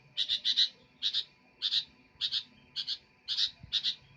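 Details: Lively sooty-headed bulbul song made of quick, high, chirped doublets and triplets repeated in an even run of about eight bursts over a quiet background with a faint hum.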